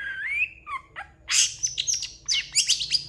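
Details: Long-tailed shrike in full song: a rising whistled slur and lower warbled notes, then rapid scratchy bursts and high thin whistles in quick succession.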